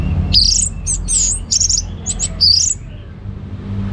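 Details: Orange-headed thrush in ngeplong gacor song. High, sweet whistled phrases, rising and falling slurs, come in quick bursts with brief gaps, over a low background hum.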